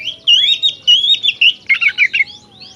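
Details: Short loud burst of 'gacor' oriental magpie-robin song, played so other kacer grow aggressive and fan their tails: looping, liquid whistles move into a choppy run of sharp, slurred chirps.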